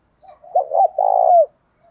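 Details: A single spotted dove phrase recorded to incite fighting in training doves: soft lead-in notes, two quick bouncing coos, then a long, deep coo that slurs downward at the end.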